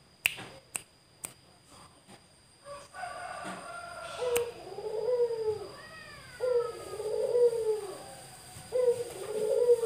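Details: A male Barbary dove, set loose inside a house, cooing: low, arched coos that swell and fade, repeated about every two seconds, after a few sharp taps and clicks at the start.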